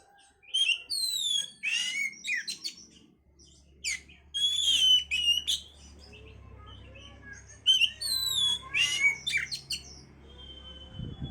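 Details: Oriental magpie-robin singing, used to stimulate breeding condition: lively mix of whistled slurs, buzzy notes and quick chips in bursts, pausing briefly midway, with a low steady hum underneath.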